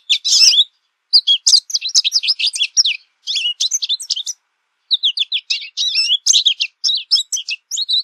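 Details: American goldfinch singing a long, jumbled twitter of sharp high notes, slurs and chatters in several phrases separated by brief pauses, continuing for about eight seconds.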